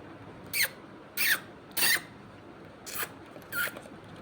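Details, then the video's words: A pet talking parrot gives five short, harsh, squeaky screeches, each under half a second, spaced about every 0.6 seconds with a longer gap before the last two, in a quiet indoor setting. "parrot ki natural sound!"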